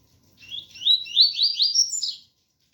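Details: Double-collared seedeater (coleiro) of the ganga type with a pure tui-tui song, recorded with rain sound: a rapid run of about seven clear, upslurred whistled notes climbing slightly in pitch, then silence.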